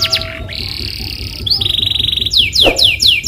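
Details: Lure canary song meant to get a listening canary singing: quick downslurred notes, then long steady high buzzy rolls, ending in a run of loud descending whistled sweeps.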